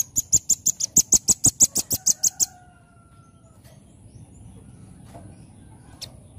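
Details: Rapid rattling series of a dozen piercing, high-pitched chips from a velvet-fronted nuthatch, called rambatan, delivered in lively 'nembak' fashion over two and a half seconds before stopping; faint hum and a later single note follow.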